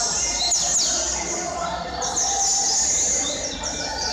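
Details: A caged pet double-collared seedeater (coleiro) sings a fast run of high, thin, sweeping notes and twitters, over a murmur of crowd noise and distant voices.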